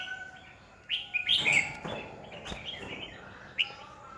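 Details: Red-whiskered bulbul singing as a decoy bird in 2020 for training other bulbuls; a few clipped chirps build into a brief rolling warble, followed by a single sharp note, with a faint steady tone in the background.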